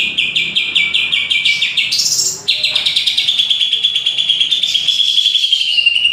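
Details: Greater green leafbird song: a fast series of bright, clipped whistled notes repeated several times a second, a brief higher sweeping flourish, then a long run of rapid repeated chirps, with faint low background noise.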